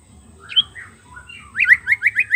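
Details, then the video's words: White-rumped shama song used as a lure to attract wild birds: sliding whistled notes, then a fast series of five bright rising-falling notes in quick succession near the end. "PANCING DGN SUARA MURAI BATU ASLI"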